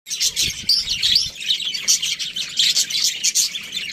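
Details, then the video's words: Budgerigars in an aviary, a flock chirping together: a dense, continuous chatter of high warbling and chirping notes from many birds at once. "Budgies Parrot chirping sounds"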